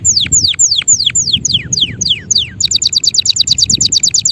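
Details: Male canary singing a series of descending whistled sweeps that speed up, then breaking into a quick, regular rattle of short high notes.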